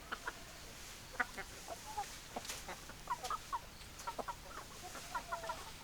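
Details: Hens giving short, slightly bending clucks in small clusters, some paired or tripled, separated by quiet stretches over a faint hiss.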